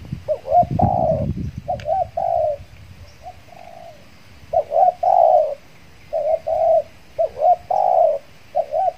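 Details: Spotted dove, a trained decoy bird that had long gone without outings while moulting, used to lure wild doves in Riau Islands; mellow coos around 600–800 with short hooked notes and long level notes, a rustle early on.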